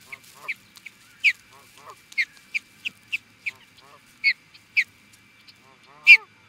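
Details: Osprey reacting to an intruder at Charlo, Montana, USA, gives loud high whistled chirps spaced irregularly, with softer lower notes between them.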